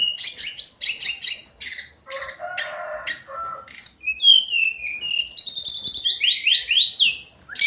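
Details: Hill blue flycatcher (sikatan cacing) giving its daily song: bursts of buzzy, scratchy chatter, then low rasping notes, clear whistled downward slurs, and a fast run of repeated high sweet notes near the end.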